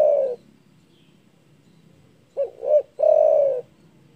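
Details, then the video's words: Spotted dove calling loudly to rouse rivals. The tail of a long coo is followed by a pause and then a full phrase: two brief rising-falling hoots and a sustained, gently descending coo. "DERKUKU GACOR DOR SUARA BESAR MEMBUAT EMOSI LAWAN"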